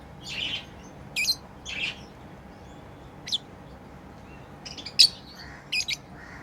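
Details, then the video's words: Playing pet lovebirds utter scattered short, scratchy chirps and thin high ticks, irregularly spaced across several seconds against a quiet room. "Lovebirds playing & Chirping sounds"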